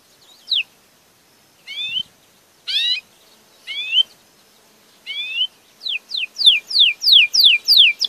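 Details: Belgian canary song of spaced curling whistled notes about once a second, then speeding into a rapid series of descending sweeps; clean, quiet background.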